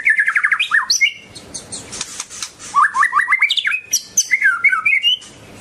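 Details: Singing white-rumped shama (Copsychus malabaricus): fast trilled series of stepped notes, sharp high chips and rising whistled runs, in lively bursts with short gaps.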